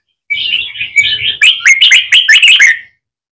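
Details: Red-whiskered bulbul, a young bird in training for double-voice fighting song, delivers a warbling run that speeds into a dense string of sharp, clipped whistled notes lasting nearly three seconds.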